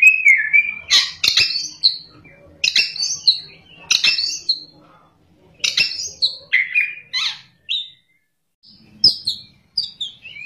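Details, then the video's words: White-rumped shama (kacer gacor) singing ngerol and nembak: repeated short phrases of sharp high strokes with downward-sliding whistles, given about every one to two seconds with brief silent gaps. "kacer gacor ngerol,nembak"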